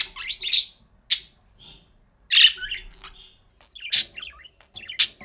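A budgerigar chatters in quick, scratchy warbles and sharp chirps, with brief pauses between bursts.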